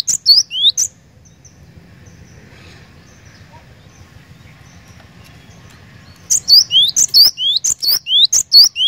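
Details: Cinereous tit giving short bursts of song, a couple of high chip-and-whistle phrases, then several seconds of near silence with a low hum, then a fresh run of rapid repeated phrases.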